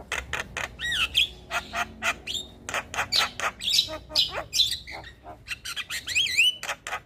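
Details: Javan myna in full song on a training recording meant to set other mynas singing: fast run of sharp clicks and rasping notes broken by looping, wavering whistles, steady and loud throughout.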